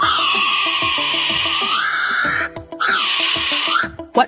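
A kiwi gives two long, shrill, piercing whistles, the first dipping and rising, the second arching, over a steady background of music.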